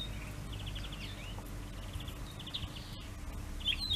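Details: Pine grosbeak, Neljän Tuulen Tupa, Finland, March: quick trills of short repeated notes mixed with slurred whistles, a few bursts across four seconds, with steady low hum behind.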